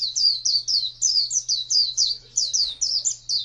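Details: Oriental white-eye singing wild-type ngalas song, a brisk sequence of bright, downward-slurred high whistles repeated steadily about four per second; quiet low hum behind.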